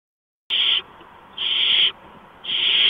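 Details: At a barn owl nest on 6 March 2015 at 4:26 AM during a mouse delivery; after brief silence, three loud, raspy hiss-screeches, each about a third to half a second long.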